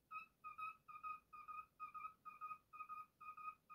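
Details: Pet male cockatiel whistling its own version of "If You're Happy and You Know It": a steady run of clear, mid-pitched whistled notes, about two per second, each paired or slightly doubled, evenly spaced throughout.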